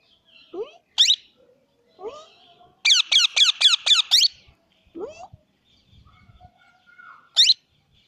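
Plum-headed parakeet giving high, sharp squeaky notes, including a rapid burst of about six clipped notes, with lower rising chirps between them.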